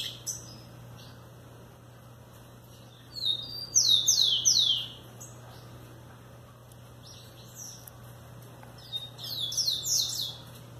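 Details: Two bursts of rufous-collared sparrow song, each a quick series of clear, high, downward-slurred whistled notes, separated by several seconds of quiet with a faint constant low hum.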